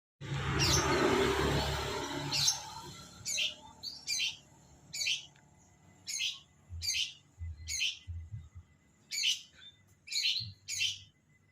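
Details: Long-tailed shrike kept as a hobby songbird, giving sharp high chirps. The chirps are spaced about a second apart after a noisy, rustling start, and soft low thumps are heard between the notes.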